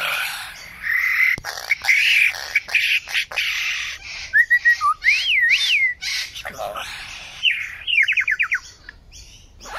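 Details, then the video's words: Lyrebird song mixing rough buzzy phrases with clean wavering whistles, then a fast burst of short downward-slurred notes near the end. "Lyrebird sound"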